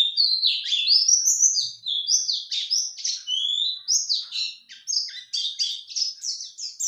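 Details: A male white-eye sings back to a lure call in a lively, nearly unbroken stream of high sweet chirps and quick upward slurs, tumbling fast throughout.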